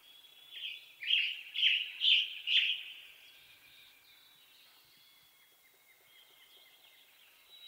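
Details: Western tanager song: four burry, hoarse phrases about half a second apart, with thin high whistles and a faint chip series from other birds fading in afterward.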